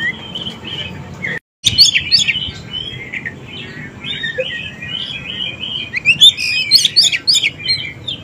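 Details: Oriental magpie-robin song used as a lure to draw wild and young birds into answering: clear whistled phrases around mid-high pitch, varied and slurred, a brief silent gap, then sharp clipped chattering notes toward the end, with faint background noise.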